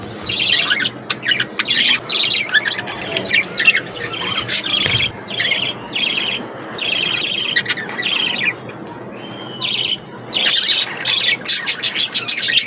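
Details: Budgerigar chicks kept in an aviary give bursts of high, harsh chirps and squawky harmonic calls, many short notes overlapping in quick succession with brief pauses between groups.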